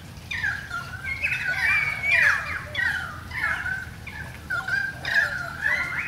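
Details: Currawong song in a rain shower from visiting birds: loud, ringing whistles that swoop up and down, with harsh squawky edges, in phrases about once a second over a constant low rumble.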